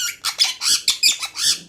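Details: Parrot at the Mirpur 1 bird market, a kept bird offered for sale, giving a run of harsh, broadband squawky syllables, about eight rapid bursts with strong upper tones, close and clear.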